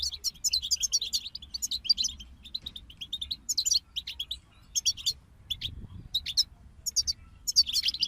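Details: European goldfinches singing as a group: lively, tumbling phrases of high twittering and scratchy trills, repeated with brief silences between bursts.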